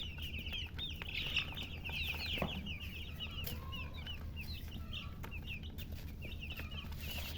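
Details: Domestic chicken chicks chirping with thirst for drinking water: many short high cheeps, each a quick slurred note, packed into continuous rapid chatter from a group, with a single lower note and heavy low background rumble.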